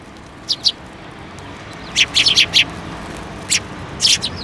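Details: Sparrows flying onto a person's hand for food at a Tenmangu shrine, 28 December 2023: short bright chirps, a pair near the start, a quick cluster of four around two seconds, then single and doubled notes near the end.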